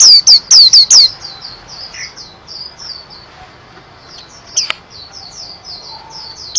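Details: White-eye song: five loud, sharp, high falling notes in the first second, then a softer, quicker chain of thin descending twitters continuing throughout, with one sharp click midway.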